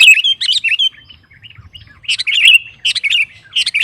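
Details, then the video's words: Sooty-headed bulbul singing vigorously to provoke rival males: clear, bubbly, whistled phrases of slurred notes, separated by a short, quiet gap. "Suara Burung KUTILANG GACOR Memancing Lawan Kutilang Lain Emosi Ikut Gacor"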